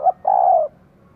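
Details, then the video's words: Female spotted dove calling to stimulate a male: one short low note, then a longer, smooth, slightly falling coo. The room is otherwise quiet. "Cu mái kích trống cực sung"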